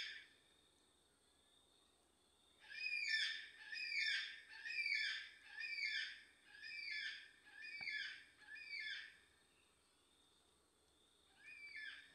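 A black cockatoo gives about seven harsh, wailing calls, roughly one per second, then pauses before calling once more, over a faint steady hiss.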